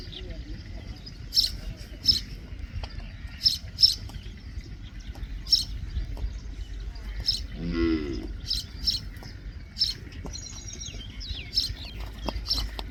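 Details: Common myna song mixing sharp chirps repeated every second or so with a brief throaty gurgling phrase midway and a quick twittering run near the end. A low background rumble continues throughout.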